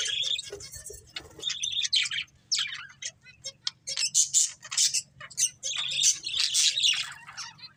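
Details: Budgies, a breeding pair, chirp and warble in uneven bursts: squeaky trills, scratchy chatter and sharp high notes separated by short pauses, with a soft low hum throughout.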